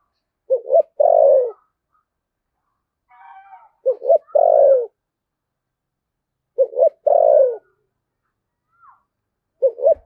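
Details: Spotted dove cooing in the 'thúc gù' manner with a 'thổ sấm' voice, Đồng Nai, Vietnam. Four phrases come about every three seconds, each two quick hoots and a long sliding-down coo. A faint short note sounds between two of them.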